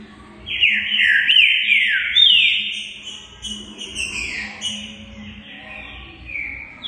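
Green-winged saltator singing loud, clear whistled phrases that slide downward, delivered in quick succession, with a faint low hum underneath.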